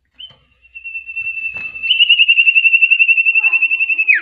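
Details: Common iora singing vigorously with a rich repertoire: a long sustained clear whistle that turns into a rapid, steady trill of pulsed notes and ends in a quick downward slur, with soft low sounds in the background.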